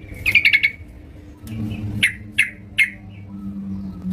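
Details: At home, a lively yellow-vented bulbul opens with a quick run of four or five sharp notes, then gives three separate bright chirps about half a second apart, against a soft background rumble.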